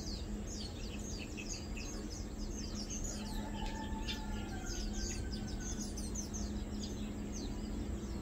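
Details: Lowland white-eyes (Zosterops meyeni), recorded 2 August 2022 at Matang Dulong while mainly feeding, give near-continuous thin, high, rapid chips and down-slurred tseeps, as from several birds, over a low rumble and a faint longer whistle.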